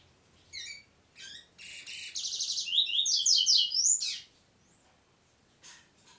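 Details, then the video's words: Double-collared seedeater song opening with spaced, separate chirps, speeding into dense buzzy trills and loud swooping twitters for about two seconds, then quiet with a final soft note or two. "Coleiro, cantando só no prego."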